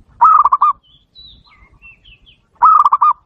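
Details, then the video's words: Zebra dove call played to lure birds closer for trapping: a rapid, bubbling series of staccato cooing notes, repeated after a pause of about two seconds, with faint high thin whistles from other birds in between. "HUNI NG BATO BATO PARA LUMAPIT | BIRDTRAP | ZEBRA DOVE"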